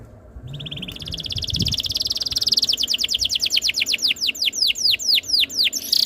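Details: Canary song played as a master so other canaries sing along: a trill that builds and speeds up, then turns into repeated sharply falling whistled strokes.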